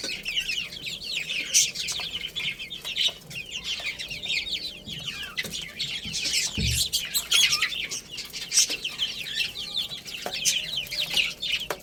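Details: Many chicken chicks playing and eating, giving a dense chorus of high, short, downward-sliding peeps that overlap without pause, with scattered sharp taps and knocks underneath.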